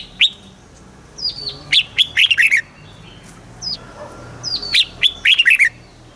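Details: Thai caged red-whiskered bulbul song in southern style, played to get birds excited: two similar phrases, each opening with a thin descending whistle then a rush of bubbly, slurred chirps.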